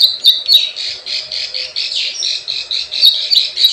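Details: Plain prinia lure sound for attracting wild birds, a rapid scratchy series of buzzy notes delivered in quick pulses, with occasional thin high clicks.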